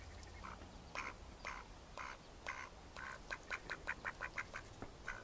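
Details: Mallard ducks recorded in May 2014: nasal quacks in scattered single notes, quickening into a rapid run of short, evenly spaced quacks near the end, over a low background rumble.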